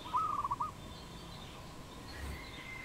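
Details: Brief rolling coo from a wild dove, Cambodia, 22 April 2020: one half-second burst of fast pulsed notes at the start, followed by quiet outdoor background with faint distant birds.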